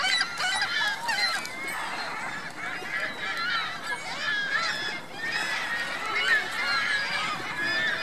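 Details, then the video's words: Flock of geese and goslings at Virginia Lake, Reno, filling the air with continuous overlapping honks and curved calls that swell in waves. "Geese Goslings"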